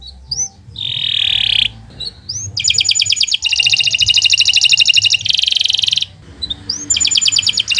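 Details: Canary singing for training other birds: a steady buzzy tone, small whistled chips, then long rapid trills broken by a short pause, with faint low background hum.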